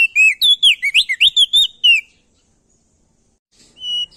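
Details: A male ashy tailorbird from NTB sings loudly to set other birds singing: a fast two-second string of bright whistled notes that rise and fall, then silence before one short whistle.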